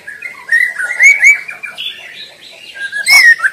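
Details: White-rumped shama in the wild, singing freely and loudly, recorded as a master song for luring: mid-pitched sliding whistles and short warbled notes, ending in a bright, clear whistled phrase.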